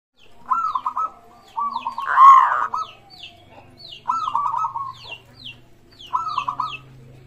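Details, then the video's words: Local zebra dove, sung as a lure to prompt other doves to sing: short rolling cooing phrases near mid pitch recur every couple of seconds, one louder burst midway, with thin chirps of other small birds overhead. "pancingan burung perkutut gacor suara disukai bikin cepat bunyi langsung nyaut manggung gacor"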